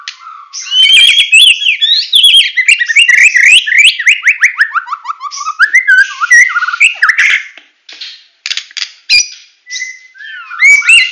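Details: White-rumped shama from Medan delivering full 'tembakan' song: a fast cascade of rising notes stepping downward in pitch, followed by harsh bursts and scattered clear whistles.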